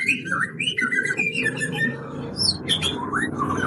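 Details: Murai batu, the white-rumped shama, in a pastol lure song used to stir birds into singing: a run of clear whistles and slurred rising notes over constant low noise and music.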